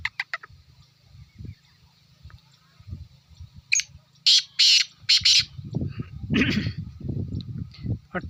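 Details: Black francolin calling: a burst of four harsh, grating, broadband syllables in quick succession near the middle, then a further rasping note, over low rumbling handling noise and a steady high insect-like whine.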